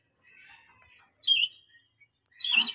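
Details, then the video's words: A very tame, chatty pet rainbow lorikeet gives two short, harsh, high squawks about a second apart, the second louder and rougher, after a faint scratchy chatter; otherwise quiet. "BURUNG NURI PELANGI JINAK BANGET LUCU GACOR"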